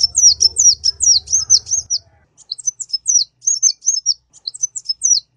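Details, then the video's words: Kolibri ninja sunbird singing vigorously: quick high down-flicking notes in a steady run, then sparser looping whistles, a low hum fading out after two seconds. "suara burung kolibri ninja gacor"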